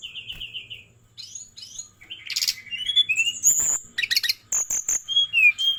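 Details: Brown-chested jungle flycatcher from Bali, a lively varied song: short whistled notes at several pitches, quick descending slurs, buzzy trilled bursts and rapid high chirps, with brief pauses between phrases.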